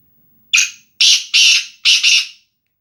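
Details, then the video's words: Nasal Sindhi-style call of a male black francolin, kala teetar, for training: a loud grating series of four notes lasting about two seconds, first brief, the rest longer, the final note doubled, with a faint low murmur before it. "Kala Tetar !! Sindhi nasal kala teetar !! Black francolin"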